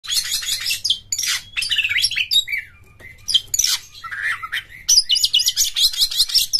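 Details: Oriental magpie-robin singing a lure song meant to get other magpie-robins singing, with tail spread and rough, intense delivery: dense harsh buzzy bursts, sharp chirps and short whistled slides in rapid phrases, one brief pause, and a faint low hum.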